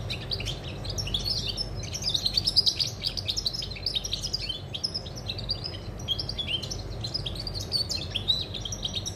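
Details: European goldfinch recorded on 20 August 2020, singing a continuous run of rapid, liquid twittering and tinkling notes with buzzy trills, steady throughout against a low background hum.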